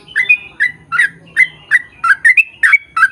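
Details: Sooty-headed bulbul giving a long 'ropel' song meant to make other bulbuls answer. A fast run of short, bright, bubbly notes, roughly three each second, some rising slightly, with a quiet background.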